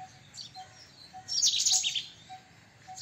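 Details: White-throated kingfisher, a tree kingfisher: one loud, harsh, shrill burst of about half a second in the middle. Faint high chirps and a softly repeating low pip sound around it.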